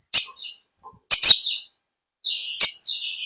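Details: Kolibri ninja, or olive-backed sunbird, uttering harsh, loud chirped bursts, then a longer rapid twittering, high-pitched phrase lasting about a second.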